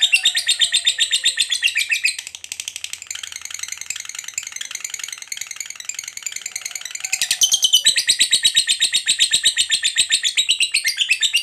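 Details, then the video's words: Caged fighter lovebird giving a long ngekek chatter, used to provoke other lovebirds: rapid harsh notes at about 158 per minute, broken by a short pause, with possible faint background music. "Pancingan Suara Lovebird Ngekek Panjang"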